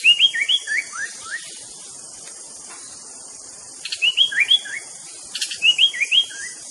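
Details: White-rumped shama, a songbird widely kept and entered in singing contests. Three bursts of quick, clear, slurred whistles that rise and fall, separated by pauses, over a steady high hiss of insects.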